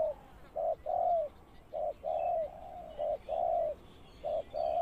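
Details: Spotted dove used as a ground lure bird for trapping, giving mellow low coos in repeated pairs: a short note then a longer, slightly falling croo, about four pairs in five seconds over a soft background hiss.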